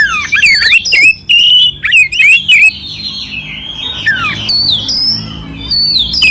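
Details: Clear oriental magpie-robin song with rough fill notes, played to stir up a sluggish magpie-robin. Rapid sweeping whistles and harsh chatters come in loud bursts, then a long slurred descending phrase and scattered high notes.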